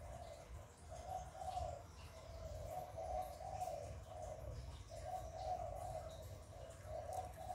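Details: Spotted dove cooing in the hạp bổi voice style, played to stimulate newly kept doves. Soft, hollow mid-pitched coo phrases come in several runs, each about a second long, with gaps between them. A steady low rumble sits underneath.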